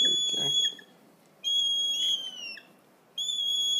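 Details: Sulphur-crested cockatoo chicks in care with a wildlife carer, noisily demanding food: drawn-out, high, thin whining notes in three bouts separated by short silences, some slightly wavering, with faint room noise.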